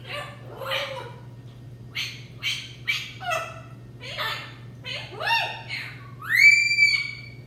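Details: Two pet macaws calling actively indoors: a run of harsh, ragged squawks and rough calls at irregular intervals, ending in a loud rising tonal whistle that levels off and holds; a steady low hum underneath.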